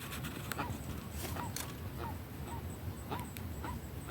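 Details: Guan calling in the sertão, giving short arched tonal notes repeated about every half second over steady background hiss, with a few faint clicks.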